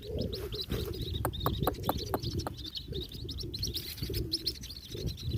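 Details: White-breasted waterhen chick feeding on a small grasshopper, giving a steady stream of high, thin cheeping peeps, quick and repeated throughout, over low rumbling background noise and scattered clicks.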